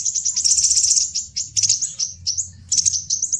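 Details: Crimson sunbird (kolibri delima, sepah raja) in a lure and tutor recording for attracting wild birds: a continuous run of rapid, very high, thin twittering notes, rising and falling in loudness with brief breaks, over a soft low hum.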